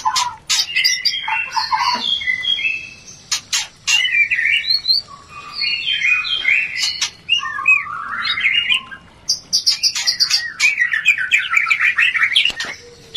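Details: White-rumped shama mating sound played to raise breeding urge. A long varied song of clicks, mid-pitched slurred whistles and high buzzy bursts, with brief gaps between phrases.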